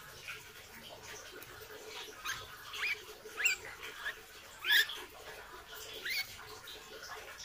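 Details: Hair-crested drongo, a bird kept in training as a songbird: scattered short, sharp upslurred chirps and squeaks, about five across seven seconds and irregularly spaced, over a steady hissing background.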